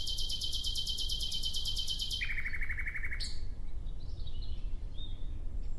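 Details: Fast, high, rapidly repeated ringing notes from a nightingale for about two seconds, dropping to a lower repeated series, then a sharp break and soft whistles.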